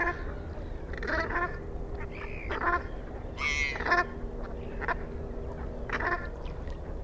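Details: Brant goose uttering scattered guttural, croaking notes, some doubled, spaced unevenly over several seconds, with constant low-pitched background noise.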